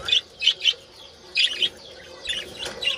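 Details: A few budgerigar chirps from a colony during mating calls, short bright squeaks in small clusters, fading into softer chatter toward the end.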